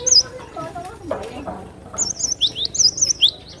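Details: Cinereous tit kept to tutor and excite other birds, giving high looping whistled notes and upswept slurs in a fast series during the second half, over earlier muffled low sounds and chatter.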